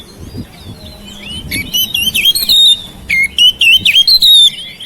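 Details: Oriental magpie-robin song from a house-kept bird, played to encourage silent birds to sing: soft notes building into rapid, repeated looping whistles and chirps, in quick bursts about four per second.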